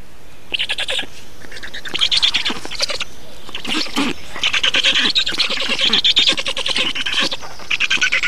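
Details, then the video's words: Black storks at a feeding in Estonia on 2 June 2019: scattered rasping pulses build into sustained, loud, grating squeals, with rapid repeated notes and short breaks between bursts. "Estonian Black Storks - Feeding"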